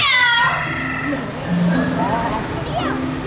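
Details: A captive Amazon parrot at Disney's Animal Kingdom, Florida, asked to call the kitty, mimics a cat: a convincing nasal, falling meow about half a second long. A person talks right after it.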